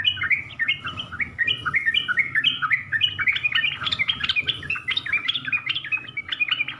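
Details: Yellow-vented bulbul delivering full varied song for training young birds: rapid chains of short bubbly whistled notes that jump up and down, closely repeated for nearly seven seconds over a faint low rumble.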